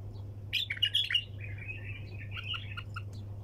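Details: Bulbul singing in the 'tak janah' hunter style (tour sayyad), delivered nonstop: bright chirped notes at 0.5 to 1.2 seconds, then a run of warbled, slurred phrases, over a steady low electrical hum.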